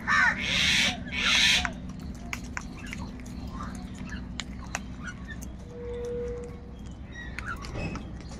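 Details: Crows contesting food with other wild birds: two strong, grating caws open the passage, followed by quiet background ticks, a brief thin tone and faint bird chatter.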